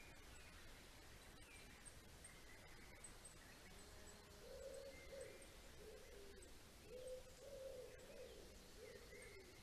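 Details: Greater spotted eagle (Clanga clanga) at a nest cam in Estonia on 2020-04-09 gives low, hollow, yelping notes in two short clusters a few seconds apart, with faint high calls of small birds behind.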